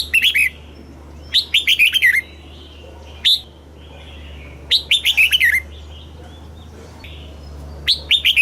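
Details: Red-whiskered bulbul with southern master-style song for exciting caged birds and teaching chicks: bright warbled phrases of falling chirps repeated several times, single sharp notes between, soft background whistles and a constant low hum.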